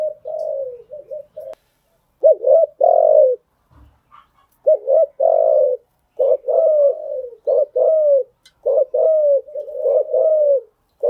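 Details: Spotted dove cooing, used as a lure call to train newly caught birds; repeated low coo phrases, each a few short notes ending in a longer drawn-out coo, in a quiet setting.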